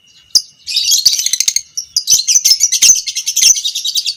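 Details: Lovebird of fighter type, a violet parblue creamino bird, giving its long chattering 'ngekek panjang' song, used as a training recording for other lovebirds: dense, rapid high-pitched buzzy chatter running almost unbroken after a short pause.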